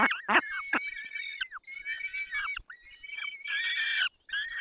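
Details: Feeding peregrine falcons in the Barycz Valley, 20 May 2021, 10:22: sharp drooping squeaks, then long sustained rasping screams in three bursts separated by short breaks.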